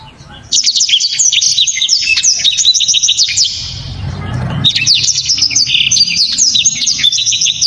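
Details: A black-throated canary delivers hard, sharp, very clear, tightly packed song: long streams of quick high chirps and trills, broken by a short pause with a soft low rumble.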